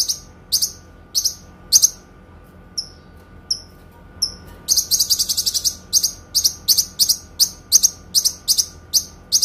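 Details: Kinoi song made as training material for songbirds: spaced high chips, a few thin short whistles in a quieter stretch, then a long rapid sequence of bright rattling notes.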